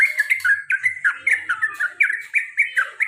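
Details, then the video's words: Sooty-headed bulbul, a male kept as a pet, repeating clipped 'cuk cuk' notes in a fast rolling string, each note a short slurred chirp, with a faint low hum underneath. "CUK CUK CUK TRUCUKAN ROPEL PANJANG DAN GARUDA BER ULANG - ULANG"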